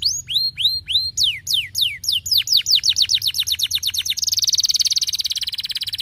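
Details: Canary song meant to stimulate lazy canaries into singing: loud clear whistles sweeping downward, repeated in quickening series, then a fast rolling high trill to the end.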